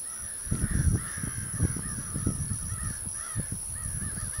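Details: American crows soaring, giving a run of hoarse, harsh caws repeated through the clip, partly masked by heavy low wind rumble and buffeting.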